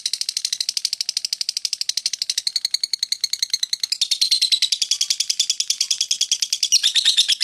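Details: Lovebird in a long ngekek chatter: a fast rattling series of high, scratchy notes that grows denser and louder toward the end.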